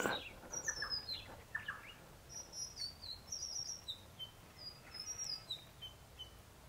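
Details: A chestnut-rumped heathwren calls in its natural habitat in the Brisbane Ranges, Victoria: thin, very high slurred notes about two per second, with a few lower chirps early on over a soft background hiss.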